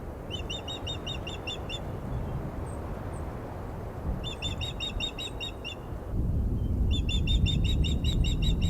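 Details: Female osprey calling at the Glaslyn nest on 14 April, unsettled by an unringed male on the nest perch: three quick runs of clipped, piercing whistled chirps, each run about two seconds, with wind rumbling beneath.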